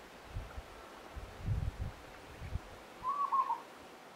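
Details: A Peaceful Dove at Monarto Woodlands, South Australia, on 26 July 2020, gives one brief, rolling, mid-pitched cooing phrase near the end, after low thumps and rumbling from strong wind.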